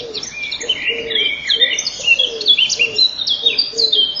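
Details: Common kingfishers at their nest on 12 May 2013, just before 8 in the morning, as the female hears the male arriving. Busy overlapping high chirps and short descending whistles run throughout, with a softer lower note repeating about once a second.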